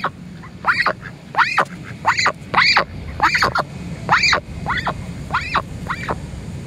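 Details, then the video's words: A female Pekin duck begging for food gives a steady run of high, squeaky arched calls, roughly one every three-quarters of a second, over a low background hum. "that duck sure can squeak"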